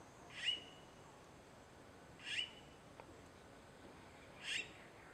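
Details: A young red-billed blue magpie, recorded 13 March 2015, gives three short, harsh, squeaky notes about two seconds apart over a quiet background hiss.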